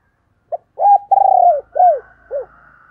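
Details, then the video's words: Female spotted dove cooing: a short soft note, then a long, mellow, slightly wavering coo, a down-slurred note and a final brief falling coo, all low and clear, with faint higher tones trailing behind. "cu mái gáy"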